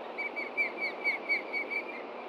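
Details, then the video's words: Osprey at a Montana nest reacting to danger from below on a late-June morning, chicks in the nest: a steady string of slurred whistled chirps, roughly four per second, over background hiss. "THREAT FROM BELOW! IRIS AND STAN RESPOND!"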